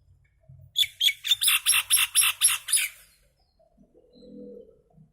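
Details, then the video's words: Common myna, a little bird making noise, delivering a fast chattering series of about ten grating squawks, roughly four per second, followed by a soft low rumble. "Mynah Bird (Acridotheres tristis), Little Mynah Bird making Noise"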